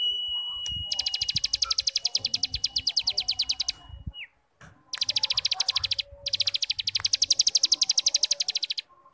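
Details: Tutor song of a cigun starling in ngebrem style: a long flat whistle runs under quick buzzy chatter, followed by two more bursts of fast pulsed rattling.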